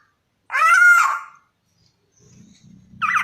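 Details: Black-naped oriole making one long nasal, harmonic note that holds level and then sags. After a pause come faint low rumbles and a brief, harsher burst of sound near the end.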